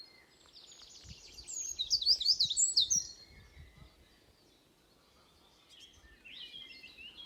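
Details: Birds in a forest at Beder, Aarhus, Denmark, near Moesgaard Museum. A quiet buzzy trill builds into a loud burst of piercing, twisting high notes lasting about a second. A pause follows, then distant soft chirping.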